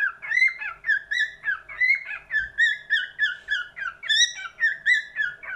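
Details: Cockatiel singing a bouncy sequence of looping whistles, some rising sharply, repeated in evenly spaced bursts, with a faint low hum and a single soft knock.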